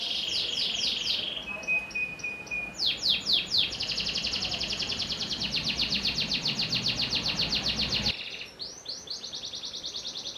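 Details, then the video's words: Singing panda canary: quick descending note series, a soft low held tone, then a long, very rapid even trill followed by more rolling phrases. "Kenari Panda Tanpa Ruji"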